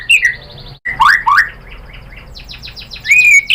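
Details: White-rumped shama song used as a lure to provoke a rival into singing: loud whistled notes, a dense burst of rapid downslurred and rising phrases, then a sharp rising whistle, with a faint low hum beneath.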